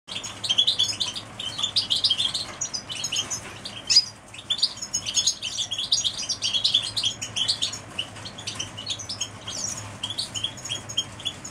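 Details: Canaries singing together: dense, continuous high twittering with rapid chirps and trills overlapping throughout, a brief louder burst near the four-second mark, and a faint low hum in the background.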